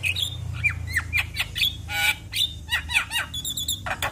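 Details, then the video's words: Jalak kebo, or Javan myna, singing to spur other mynas: varied whistled slurs, scratchy squawks and a loud broadband burst, with high twittering near the end. "Semua Burung Jalak Langsung Buka Suara Dengar Kicauan Jalak Kebo Ini"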